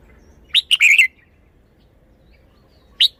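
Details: Red-whiskered bulbul displaying its song style: one quick, bubbly phrase of four slurred whistles, then a lone rising note about two seconds later.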